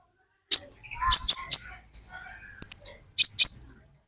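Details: Olive-backed sunbird, metallic konin type, used as a lure recording: high thin chirps and a rapid series of sharp ticking notes, with short bursts of sweet high twitters between pauses.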